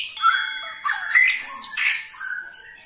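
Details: White-rumped shama ketrekan call, used to get other shamas singing: a short, lively mix of sharp chips, buzzy notes and quick whistled slurs in one brisk phrase.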